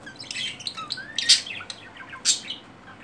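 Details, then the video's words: Budgerigars during mating and courtship: rapid high chirps and warbling chatter with two loud harsh squawks near the middle and end, indoors. "Muhabbet kuşu çiftleşme anı BASILDILARRRR"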